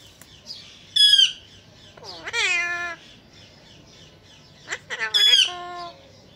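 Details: Talking ringneck parrot that mimics phrases such as Mitthu Bete and Aslam Alaikum, giving three bursts of strained, rich-toned vocal sounds, some sliding downward, with pauses between and little background noise.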